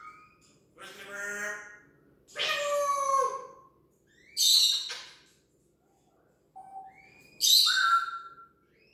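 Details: Parrot kept as a pet imitates sound effects with drawn-out grating harmonic notes, a falling tonal sweep, harsh high bursts and a brief whistled tone near the end, about every two seconds.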